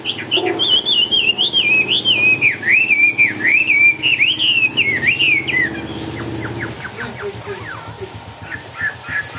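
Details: Chinese hwamei in a cage, hopping and dancing, delivers about six seconds of loud warbling whistles rising and falling, then switches to softer scattered chips and short downslurred notes.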